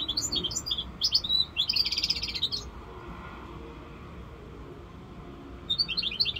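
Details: Five-month-old European goldfinch mule, a hybrid labelled 'rosse corsica', sings bright high twittering phrases for almost three seconds, falls quiet, then starts a fresh burst of rapid chirps near the end over a low background hum.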